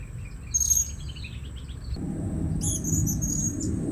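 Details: Blue-crowned hanging parrot calls used to lure the birds at a new site: two bursts of very high, thin, sharp chirps over a steady high-pitched insect-like whine and low rumbling background noise.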